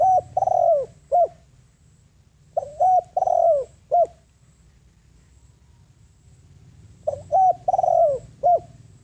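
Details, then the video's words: Spotted dove lure bird calling wild doves in: three repeated cooing phrases, each with quick rising coos, a long drawn-out falling note and a short closing coo, with pauses of about two seconds between phrases. "Tiếng Chim Cu Gáy Mồi Đất Gáy Gọi Bổi, Chiêu Bổi"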